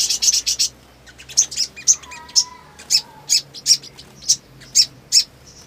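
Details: Black sunbird, described as lively and in breeding condition: fast twittering chirps at the start, then repeated sharp high chips about every half second, with a faint lower whistled tone in the background.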